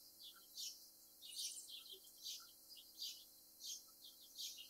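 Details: Rufous hummingbird making quiet, very high, dry chipping notes in short irregular bursts, roughly one burst every half second to second, with a faint low steady hum underneath.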